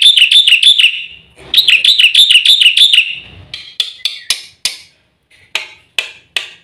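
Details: Black-winged starling training and bait song: two bouts of rapid warbling trills with a wavering, bouncing pitch, followed by spaced sharp, dry clicks and rasping notes separated by short silences.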